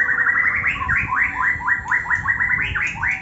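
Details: White-rumped shama (murai batu) singing in the ngetrek style: a rapid run of short rising, slurred notes, roughly four per second, steady and bright, over faint background hum.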